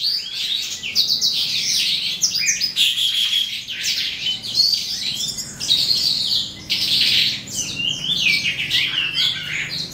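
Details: Eastern calandra lark (Melanocorypha calandra psammochroa) starting to sing at the end of the day: a dense, continuous outpouring of scratchy chirps, trills and short whistles, almost unbroken throughout, with quiet background.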